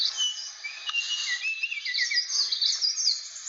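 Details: Blue flycatcher from Aceh, a rare protected bird, gives short high whistled notes and quick down-slurred phrases over a bright hissing background.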